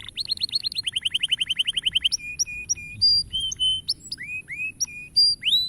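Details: Canary song used to encourage young canaries to sing: fast trills of repeated rising notes, then a series of separate whistled slurs and steady tones at varied pitches.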